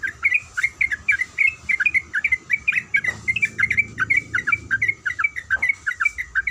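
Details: Female sooty-headed bulbul calling the male, a long, lively series of short chirpy notes that rise and fall, delivered in quick bursts nearly without pause, over a faint low rumble.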